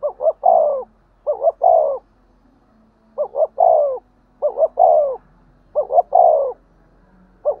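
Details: Spotted dove in its 'thúc gù' cooing style, played to excite decoy birds. About six rapid phrases: two quick stuttered notes leading into a longer descending coo, delivered in close succession.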